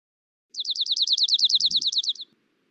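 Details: Dark-eyed Junco (Junco hyemalis) trill song: about seventeen identical high, slightly down-slurred notes repeated fast on one monotone pitch for under two seconds, too quick to count, over a faint low rumble.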